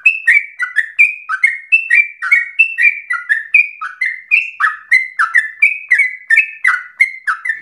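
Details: Lively sooty-headed bulbul song meant to provoke other birds into singing and to serve as a tutor: continuous run of bright whistled phrases, each a short level note dropping into a downward slur, delivered briskly without pause.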